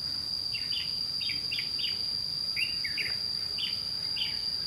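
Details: Red-whiskered bulbul with white cheeks, calling at a trapping site in a fight with a lure bird. Short warbled notes come in quick pairs and triplets, over a steady shrill insect drone.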